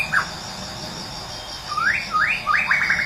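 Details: Morning song of a wild Medan white-rumped shama, used as a lure to make a silent bird sing. A short whistle opens, then after a pause three or four upward-sweeping whistles follow in quick succession over constant cricket trilling.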